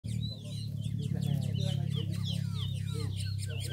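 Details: Green-winged saltator recorded on 21 December 2023 at Piriá: loud, clear whistled phrases of rising and falling notes in several overlapping strands, over a steady low hum.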